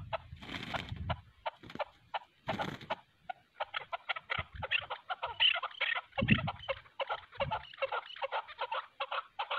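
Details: Chukar calls during a fight between a hunting decoy and a wild chukar: quick clucking notes repeated about two or three times a second, broken at first by bursts of rough rustling noise.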